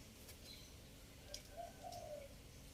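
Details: Spotted dove three-note coo, a lure recording from Chiang Mai, Thailand: a soft, low hooting phrase of three joined notes rising then easing down, heard quietly over a hushed outdoor background with faint high ticks.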